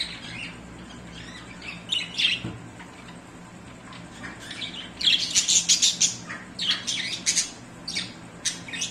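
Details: Budgerigars in breeding time chatter in bright, scratchy chirps and squawks, busiest in quick bursts of warbling notes.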